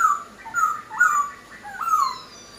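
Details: Poksai Hongkong laughingthrush singing vigorously: a few loud slurred whistles near the same pitch, each dipping then rising, spaced about half a second apart with short pauses between.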